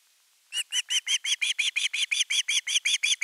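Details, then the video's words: Hungry osprey young at nest 3 on 10 August 2021, calling long for fish: around fifteen squeaky, whistled yelps in a regular rapid series that continues to the end. "Myy huutaa pitkään kalaa"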